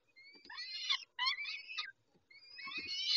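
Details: Peregrine falcons at Dobra during a feeding at 11:48 on 19 May 2021. Three bursts of harsh, rasping, harmonic wailing calls separated by short silences, with a faint low thump near the end.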